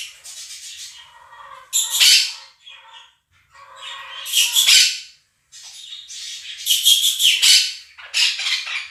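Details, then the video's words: Two Quaker parrots kept as pets call loudly over played budgie warbling: bursts of coarse, screechy squawks alternating with softer chattering notes, in uneven clusters about every one to two seconds. "КАК ПОПУГАИ МОНАХИ СТАЙКУ ВОЛНИСТЫХ ПОПУГАЕВ ПЕРЕКРИЧАЛИ Quaker parrots scream over flock of budgies"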